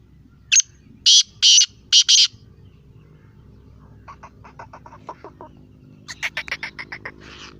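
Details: Black francolin (teetar) calling: a short harsh note, then three rasping bursts in quick succession. Softer, thinner chirping notes from other birds follow in a rapid run and a later higher cluster.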